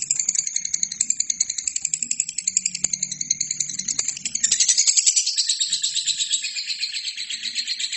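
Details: Lovebird singing steadily, used to train other birds: a continuous scratchy, high-pitched chatter beating rapidly, about four pulses a second, growing louder and fuller past the midpoint, with faint low hum and a few clicks.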